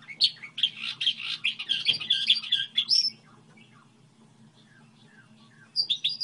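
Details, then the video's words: Goldfinch hybrid song, model type: three seconds of dense, buzzy twittering and trills, then quiet with scattered faint notes, and a fresh twittering burst near the close; a low hum persists. "Hibrid sticlete ,model de cântec (Goldfinch hybrid)"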